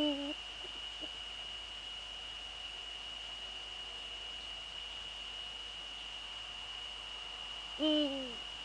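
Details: Male Eurasian eagle-owl calling in the Netherlands, 17:30 on 6 February 2013: a clipped hoot at the start, then a long quiet gap and a full, deep, slightly falling hoot near the end, with a steady high whine behind.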